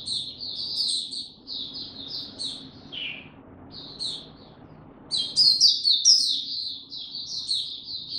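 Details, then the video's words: High, tinkling warble from a captive Oriental white-eye, 2 May 2022. Rapid chirped phrases run on, with one lower slurred note near the middle, then a louder excited burst of twittering. "Mata Puteh Hercules buka sing"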